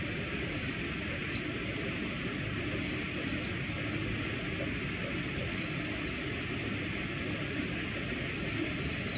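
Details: Brown-eared bulbul giving thin, high whistled notes that slide slightly downward, four of them spaced roughly every two and a half seconds, over a steady hiss of background noise.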